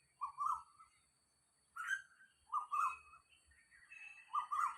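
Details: Asian koel calling in the wild beside a house at dawn, 06:40 on 4 October 2022; rising, whistled two-part notes repeated in four phrases roughly every 1.3 seconds, with a soft low hum behind.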